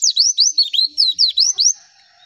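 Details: A white-eye recording used as a lure to make other white-eyes answer gives a quick run of about eight high, sweeping chirps, each dipping then rising, packed into under two seconds before fading out.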